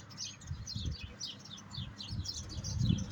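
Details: European goldfinch singing quick, high, downslurred chirps in a lively twittering run, over a strong low rumbling and knocking background.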